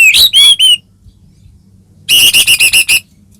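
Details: White-rumped shama singing loudly, played to spur a caged bird to answer: a few strong whistled notes, a short silence, then a fast burst of six rich, ringing repeated notes.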